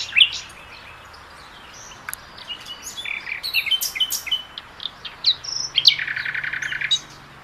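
A Common Nightingale sings a rich run of varied phrases: sharp high chirps, clear whistles and clicks, then a fast, rattling trill of repeated notes near the end.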